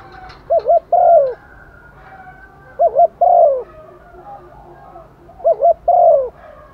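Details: Rainy-season calling by a decoy female spotted dove seeking males. Each phrase is a rapid double hooked coo followed by a fuller drawn-out coo. It is given three times, every two and a half seconds or so, with faint background rustle.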